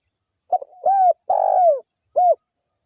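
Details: A single phrase from a local wild spotted dove, used as a lure to provoke other doves: a faint stutter, a mellow coo, a long husky coo dropping in pitch, and a short final coo, on a clean background.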